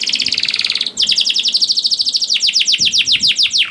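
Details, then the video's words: Young canary (kenari paud) song meant to coax silent canaries into singing: a rapid buzzy trill, a brief pause, then quick rolling notes slowing into louder repeated downward sweeps. "PANCINGAN KENARI PAUD TERBUKTI AMPUH MEMANCING KENARI SUSAH BUNYI IKUT GACOR"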